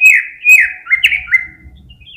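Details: Greater green leafbird song used as a stimulus to make other birds sing: loud whistled notes sliding down from high to mid pitch, several short descending phrases in quick succession, fading to quiet chatter.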